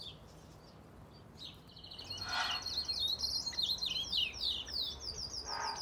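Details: An ultramarine grosbeak in an aviary sings a fast, high, warbled phrase of slurred whistled notes lasting about three seconds, over a steady low hiss and a couple of brief rustles.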